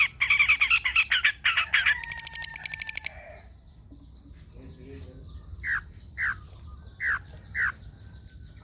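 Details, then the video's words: Long-tailed shrike used as a training recording for song birds. A dense burst of harsh chatter and rapid trills opens, then a thin buzzy note runs beneath four well-spaced, short downslurred whistles and a few high chirps. "PANCINGAN CENDET SUSAH BUNYII, DIJAMIN GACOR DENGAR SUARA CENDET INI"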